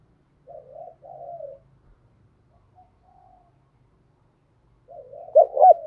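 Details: Spotted dove cooing in the 'cu thúc gù' style for daily voice training: soft, distant purring coos at first, a long pause, then a louder, closer burst of throaty notes at the end, with a faint low hum underneath.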